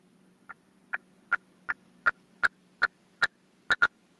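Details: Caged decoy red-legged partridge on its first hunting stand, calling to wild partridges. Single sharp, strident notes repeat roughly every 0.4 seconds, growing louder and ending in a quick pair, over a steady low hum.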